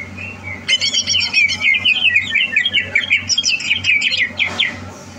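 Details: Caged greater green leafbird being prepared for a singing competition, recorded 30 November 2022; after a brief pause it bursts into dense, high chattering song mixing rapid buzzy trills and sharp whistled notes, over a steady low pulsing hum.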